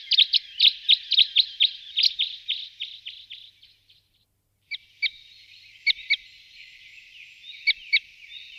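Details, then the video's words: Red crossbill (Loxia curvirostra) gives a quick run of sharp, high 'kip' notes, about four a second, then a pause and scattered single and doubled notes. "Loxia Curvirostra Bird Sound Effects"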